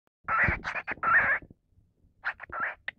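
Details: A male cockatiel gives a raspy, chuckling laugh in choppy bursts, two longer runs followed by a few shorter huffs after a brief pause.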